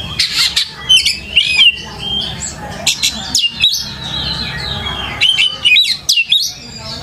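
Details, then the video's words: Varied lure song of a white-rumped shama (kacer), played so other birds answer: squeaky whistles, harsh rasping notes and rapid chattering phrases, delivered loudly with short breaks. "PANCINGAN KACER GACOR LANGSUNG IKUT NYAUT DAN GACOR"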